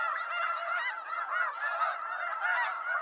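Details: Snow geese clamouring in a crowd: rapid, overlapping nasal honks form a thick, continuous chorus, slightly pulsing in intensity over three seconds.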